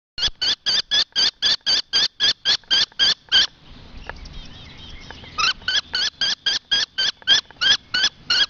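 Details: Two-week-old common kestrel chicks at a nest in Théding, France, recorded 20 June 2006, give rapid, harsh, high calls about three or four a second, pausing briefly midway, then resuming.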